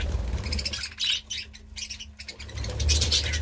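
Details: Budgerigar chatter in short bursts of bright, scratchy chirps near the start and end, with a quieter gap between them over a steady low hum.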